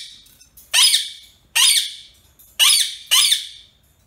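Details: Pet rose-ringed parakeet, an Indian ringneck kept at home, giving four loud, harsh screeches. Each starts low and sweeps sharply up into a broad rasping burst. The calls come in two spaced pairs and the background is quiet.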